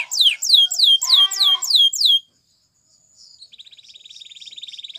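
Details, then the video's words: Spanish Timbrado canary training song: a series of loud descending whistled sweeps with a gurgling undertone, silence, then a thin accelerating metallic trill. "The Canary's Deadly Seduction Invites Your Canary To Sing Immediately"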